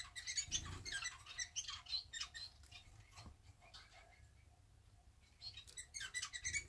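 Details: Two household society finches preening together after bathing; quick high chirps and rustling at the start and end, with a quieter stretch of faint scratching in between.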